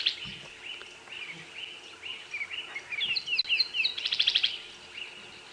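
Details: Tawny-flanked prinia (Prinia subflava) at Twin Dams on a sunrise safari drive in the Djuma area, morning of 17 November 2016. It calls thin, high, evenly spaced notes, then a quick burst of sharper chips, announcing it is awake and claiming its territory.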